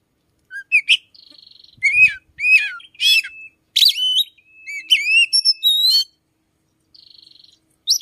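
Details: A captive Oriental magpie-robin kept in a room sings in the early morning, around 5 a.m., a rich run of clear slurred whistles, buzzy nasal notes and sharp chips, mimicking another bird's song; phrases pour out, pause, resume.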